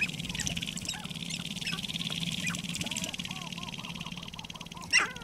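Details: Sharp-tailed grouse at a lek near Regina, Saskatchewan, Canada, on 14 April 2012: a run of soft, arching mid-pitched notes repeated in quick succession, ending in one sharp loud cluck over a steady high background hiss.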